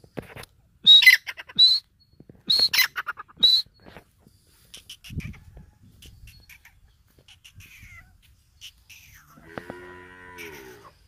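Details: Female partridge (teetar) in breeding season, Iranian or dakhni type: four loud harsh squawking bursts with sharp high notes over the first few seconds, then quiet with faint scattered chirps and a low droning sound near the end.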